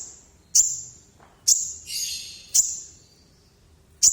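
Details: Sunbird performing with full voice: four piercing high ringing notes, spaced about a second apart, with a brief buzzy trill between the second and third.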